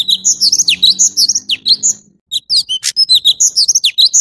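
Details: Orange-bellied leafbird song: rapid bright whistled notes and steep downward slurs tumbling together, a brief gap after two seconds, then another busy phrase with a harsh crackle.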